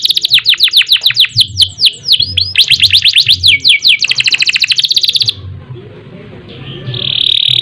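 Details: Kenari (canary) in long ngerol song: rapid series of descending whistled notes and buzzy trills for about five seconds, then near silence and a final steady high note.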